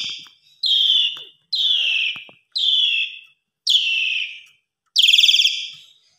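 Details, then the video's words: Asian pied starling singing in the evening in the full-isian style, rich in varied fill-in phrases, for tutoring other birds: harsh, buzzy, downslurred notes repeated roughly once a second, the last bursts louder and rattling. "Pancingan Sore !! Jalak Suren Gaya Full Isian Segudang Gacor Suara Istimewa Cocok Buat Masteran"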